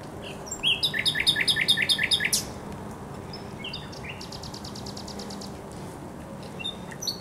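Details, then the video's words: Thrush nightingale singing at the Żerań Canal on 24 April 2022: a fast series of about a dozen loud, clipped, downslurred notes, then a pause and a high, dry buzzing rattle, with soft notes at the end. "Śpiew słowika rdzawego na Kanale Żerańskim"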